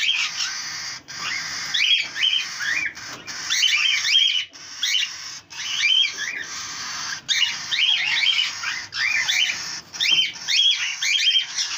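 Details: Cockatiel, a parent bird with three chicks: bright, warbling chirps and quick rising-falling whistled notes in bursts of a second or two, separated by short gaps.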